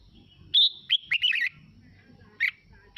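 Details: Red-whiskered bulbul singing, played to prompt other birds to sing in reply: a sustained clear whistle, then a quick run of warbled, tumbling notes and a later short chirp, over soft low background hum.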